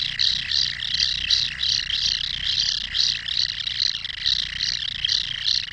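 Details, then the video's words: Common kingfisher in its nesting burrow producing rhythmic, harsh buzzy calls, about two to three rasping pulses each second in a continuous run, with a soft low background rumble. "Hlas ledňáčka (Alcedo atthis), Kingfisher"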